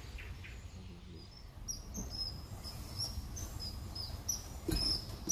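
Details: Common kingfisher at Warandeputten in 2018: a run of short, high, thin whistles repeated at irregular intervals through the clip, growing louder towards the end over a steady low background rumble.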